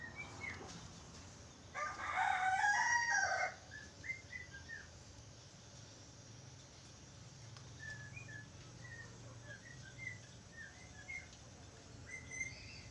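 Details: Budgerigar singing: a loud, dense burst of warbled and chattering notes lasting almost two seconds. Soft, short rising chirps repeat before and after it over a steady background hum.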